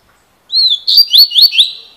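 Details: Double-collared seedeater, a 'fibra' coleiro, with 'cilada' noted. It sings a brief, bright phrase: one drawn-out slurred whistle followed by four quick upward-sweeping notes, with nothing else audible.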